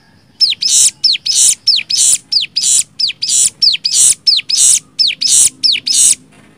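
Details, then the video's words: Nembak song of a cigun, meant for training other songbirds: a regular series of down-slurred whistles each followed by a grating buzz, about a dozen pairs in quick even succession. "MASTERAN CIGUN NEMBAK 6 VARIASI"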